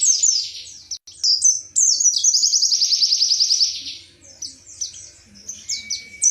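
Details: White-eye of the wiksar kind from Indonesia singing 'tembakan materi': bursts of high, slurred chirps, then a rapid evenly pulsed trill for about two seconds, followed by softer scattered twitters.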